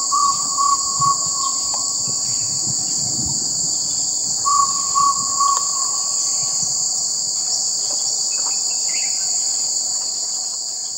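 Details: Glaucidium radiatum, the jungle owlet, repeating two bursts of three to four rapid, even, mid-pitched notes several seconds apart, with a continuous high insect whine behind them.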